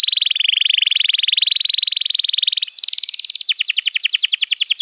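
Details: Canary tutor song for young canaries, meant to prompt silent birds to sing: a long, even buzzy trill, then a sudden jump to a higher, faster rattle that breaks into quick downward-slurred notes.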